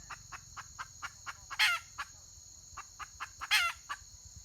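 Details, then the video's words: On 31 May 2023 a wild red junglefowl hen clucks in quick short notes, breaking twice into a loud, grating squawk, with an unbroken high-pitched insect hum throughout. "Suab poj qaib qus tsauj"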